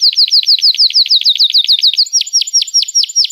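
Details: Canary song of rapid repeated high chirps, each note dipping sharply, slowing into louder separate down-slurred whistles near the end.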